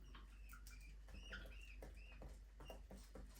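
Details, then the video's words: Budgerigars flying and playing in a small aviary give short, bright, slightly warbled chirps, some rising and some falling, scattered over a few seconds. Scratchy clicking patter runs throughout over a steady low hum. "Budgies parrot chirping sound"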